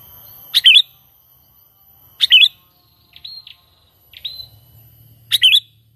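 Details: Sooty-headed bulbul's natural trapping lure call, free of mimicry: short twisting chirps spaced a couple of seconds apart, with two thin, level whistles between them and a faint low hum underneath.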